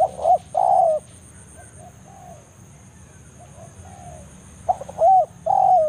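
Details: Spotted dove in forest repeating the banggo lure call aimed at a rival: a phrase of short coos and a long falling coo, a pause with faint distant coos, then another full phrase.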